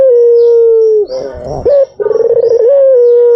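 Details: White dove calling as a lure: a drawn-out, steady, level hum, then a rough, grating break, and a quick stuttering roll that settles into another long, held note.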